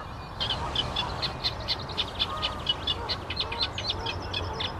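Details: Eurasian reed warbler singing: a steady chattering run of short, repeated notes, about two to three per second, over a constant low rumble of background noise.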